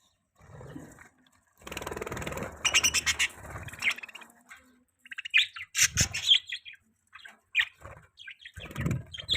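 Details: Budgerigar, a pet bird, chirping: bursts of high, scratchy chirps and short twittering notes in quick clusters, broken by brief pauses and some low thumping and rustling sounds.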